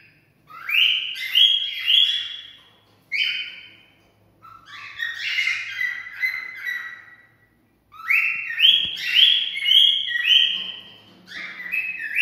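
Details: Cockatiel song for mating stimulation: several bursts of bright whistled notes with rich harmonics, each run sliding through stepped pitches, separated by short pauses.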